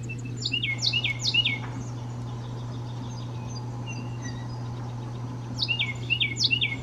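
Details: Carolina wren, a male, delivers two bursts of loud, quick, ringing downslurred phrases in the 'teacher teacher teacher' pattern, separated by a few seconds of quiet broken only by faint chirps, with a constant low hum throughout.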